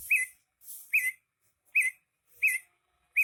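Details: Greater green leafbird in lively song, giving a short, clear whistled note about every three quarters of a second, each note sharp and bright with a raspy edge, and soft hissing sounds between.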